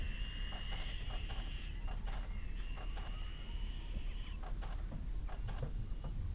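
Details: Begging Little owl chicks, a fluffy pair newly left the nest, being fed in the evening at Kalmthout, 11 June 2022, food shared unequally; two long harsh wheezing hisses, then a burst of quick clicking, low background hum.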